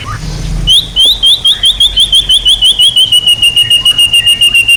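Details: Songbird training material: after a low hum, a rapid steady series of high, sharp upslurred notes repeated over three times a second, gradually dropping slightly in pitch and softening.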